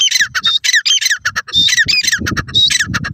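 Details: Grey francolin, known as teetar, in green grass in Pakistan, giving fast, loud, grating calls in rapid clusters, with a low rumbling background noise underneath.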